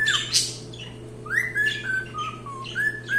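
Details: Cockatiel song: a harsh squawky chirp, then a rising whistle and a chain of level and falling whistled notes, with a faint steady hum in the background.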